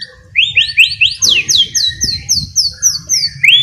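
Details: White-rumped shama singing ngeriwik, a lure song meant to make birds sing boldly: a rising whistle followed by a string of clear down-slurred whistles, about four per second, then a final upswept note.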